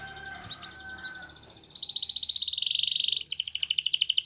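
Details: Spanish Timbrado canary song opens with faint, soft notes over low background noise, then bursts into a loud, dense, rapid trill followed by a pulsing chattering roll.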